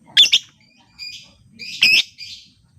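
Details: Lovebird lure recording meant to get silent lovebirds singing: harsh, squawky chirps in two quick bursts, then fainter buzzy notes and a second loud rasping pair, all high-pitched.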